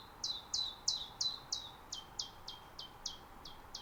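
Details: Common chiffchaff in an Estonian natural reserve, mid-spring, recorded on a Zoom F6 and Sennheiser MKH 8040. Loud, clear, high notes sliding downward come evenly, about three per second, twelve in all, with little background noise.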